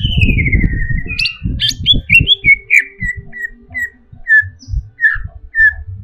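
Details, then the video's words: Agitated caged greater green leafbird: a long descending whistle over loud low rumbling noise, then sharp chips and short whistled notes repeated about every half second. "SEKETIKA CUCAK IJO INI EMOSI"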